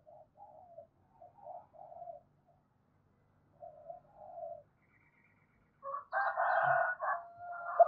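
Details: Spotted dove calling coos meant to rouse a decoy dove; soft, low, wavering coo notes in short bursts with pauses, ending in a louder, rougher, fuller burst of cooing.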